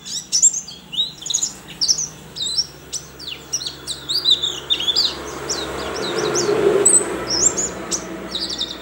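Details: Caged white-eye from Sambas, West Kalimantan, entered in an online singing contest and fed banana and commercial feed: rapid high twittering of short sweeping notes in continuous bursts, with a low hum and a soft murmur near the end.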